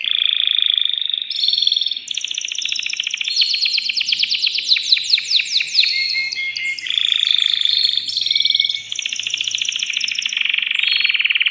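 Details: Male canary, caged and excited, singing to stimulate a female to mate: continuous rich song of sustained buzzy tones alternating with fast rattling trills and clicks, no pauses.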